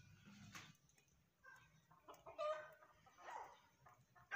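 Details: Grey francolin (Ortygornis pondicerianus), call.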